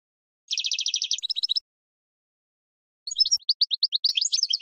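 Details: European goldfinch singing in spring, a training recording for cage birds: a rapid buzzy trill of tightly repeated notes, a pause, then a tumbling twitter of quick liquid chirps, on a silent background.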